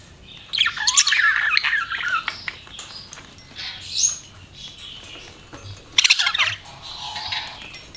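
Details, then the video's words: Budgerigars chirp with a warbling scratchy chatter at the start, then softer scattered notes and a second short burst of chirps. "BUDGIES CHIRPING SOUND"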